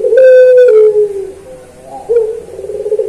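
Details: Puter pelung (Barbary dove) kept as a songbird performing its coo for a training recording: a sustained low coo that slides slightly downward, a quiet gap, then a rolling, throbbing coo that continues to the end.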